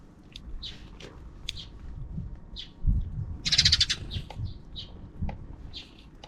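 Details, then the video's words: Sparrows off-screen in the afternoon of 4 April 2024 keep making noise: short, irregular chirps with a brief rapid trill in the middle, over low rumbling background noise. "the sparrows are still making noise"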